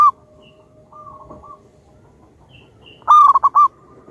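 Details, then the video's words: Zebra dove of local wild lineage, a strong singer, coos softly at first, then bursts into a loud phrase near the end: a sustained hoot followed by three clipped, bubbling notes. "Pancingan burung perkutut Lokal Alam super Gacor suara Besar"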